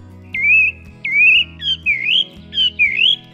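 Song Thrush singing short, clear whistled phrases that rise and twist, delivered in quick succession about every half second over a low musical hum.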